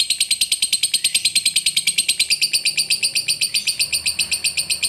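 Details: Lovebird, a fighter-type bird, in long 'ngekek panjang' chatter used as a lure to provoke a lazy lovebird into singing: rapid, high, buzzy pulses repeated about twice per second without a break, steady through the whole stretch.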